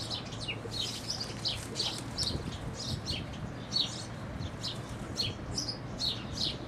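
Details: House sparrows chirping near the Tower of Hercules, A Coruña, Spain, on 13 May 2012: a busy, overlapping stream of short, bright notes, several each second, over a low outdoor rumble.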